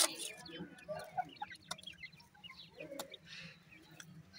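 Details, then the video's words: Teetar (francolin) chicks feeding at night: a busy scatter of brief cheeping notes from several chicks, with some louder tapping clicks and a faint constant low hum. "pheasant chicks are also called feed at night,lovely chicks teetar"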